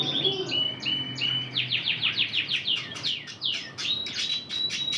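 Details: Deep red canary trained in Spanish Timbrado song, performing. It opens with sustained whistled notes, then gives a fast series of descending swept notes about three per second, and ends on a steady high tone.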